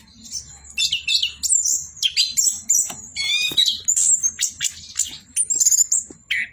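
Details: Orange-headed thrush singing continuously, a lively stream of very high twittering notes, sharp chips and short buzzy trills, ending on a lower descending slur.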